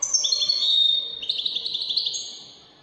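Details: Goldfinch performing Moroccan wedani-style song: one continuous run of fast, liquid twitters and bright trilled notes that slides between higher and lower tones, then fades away at the end.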